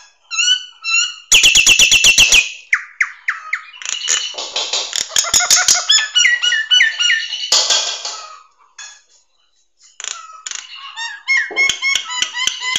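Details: A Nias hill myna, recorded as a master song for training birds, pours out loud, varied notes: clear ringing whistles, rapid clicking bursts and harsh rasping squawks, delivered in quick phrases with brief pauses.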